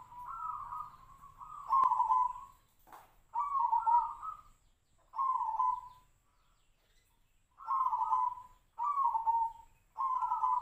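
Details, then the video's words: Perkutut or zebra dove of the Tejoanom song type, its voice compared to the sirtu-sirpo bird: a steady run of short, burry, tremulous coo phrases repeated at near-even intervals with brief silences between. "PERKUTUT TEJOANOM|| SUARA SEPERTI BURUNG SIRTU-SIRPO"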